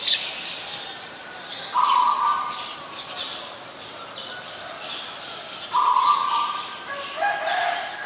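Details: Oriental magpie-robin (Copsychus saularis) singing in Ubon Ratchathani, Thailand, 28 October 2021: steady low whistled phrases roughly every four seconds amid a busy wash of higher chirps from other birds.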